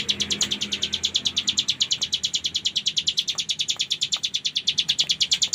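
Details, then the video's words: Persistent full ngebren song of the bar-winged prinia (cigun), a long, uninterrupted rattle of crisp high notes delivered at about ten per second, very regular, with faint low background hum. "Cigun Gacor Full Ngebren"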